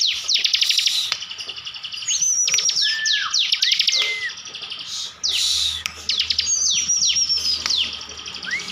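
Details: Fast, shrill song bursts from a kept Bar-winged prinia of Slawi, Tegal, Central Java: stacked ticking trills, steep downslurs and short drooping whistles, repeated at roughly four notes per second in the 'tembakan' style.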